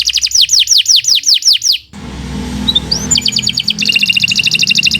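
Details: Canary song used as a master recording for training other birds: a series of high, descending whistled sweeps, then a break into rapid trilled and buzzy rolls, with a low hum underneath.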